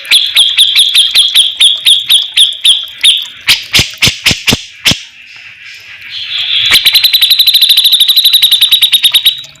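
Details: Javan grey-cheeked bulbul: a fast train of sharp, high repeated notes, a burst of loud clicks, then a quicker, denser trill of ringing notes that runs to the end.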